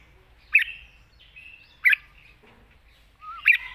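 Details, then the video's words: Red-whiskered bulbul sounding three short, emphatic chirped notes spaced over a few seconds, each trailed by a faint whistle, with a quiet background. "เพลงป่าๆ สำนวนยาวปากเบา ฟังเพลิน#นกกรงหัวจุก"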